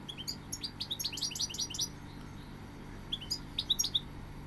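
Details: Goldfinch singing a quick run of bright, tinkling, twittering notes for about two seconds, then a short pause and a brief second burst; a steady low hum underneath.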